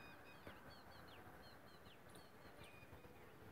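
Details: Birds whistling in the early morning: clear, thin, high whistled notes, often falling in pitch, in loose repeated pairs, faint above a low outdoor rumble.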